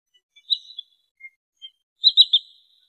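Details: A wood sandpiper, used as a lure call for trapping, gives high, sharp whistled notes: a brief pair, then a quick run of three 'chif-chif-chif' calls. Nothing else is heard.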